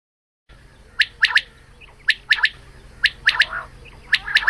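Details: A female quail calling in the morning, used for hunting, gives sharp, liquid triplets of three quick clipped notes, repeated about once a second over a faint background hum.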